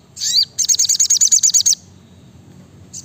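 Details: Brown-throated sunbird (sogok ontong) singing in a dense, rapid 'nembak rapat' style: a short high opening phrase, then about ten sharp, evenly spaced high notes in quick succession, a pause, and another note beginning; faint low background hum.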